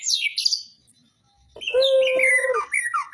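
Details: Caged magpie-robin at a songbird contest, singing at length. High chattering notes are followed by a short silence, then a steady mid-pitched whistle layered under warbled, descending phrases.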